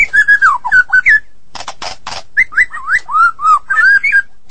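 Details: White-rumped shama of the Medan type, singing vigorously: clear whistled phrases around middle pitch, some sliding up and down, broken by a few harsh rasping bursts, about four seconds of steady song.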